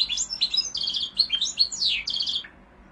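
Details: Mosaic canary giving a loud, fast phrase of high warbled notes and downward-slurred whistles, tightly packed over about two and a half seconds before falling silent.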